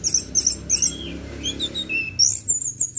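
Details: Orange-headed thrush singing in 'teler' style for tutoring birds: rapid high chirps, then a short falling whistle and a buzzy upward-swept phrase, over soft background hum.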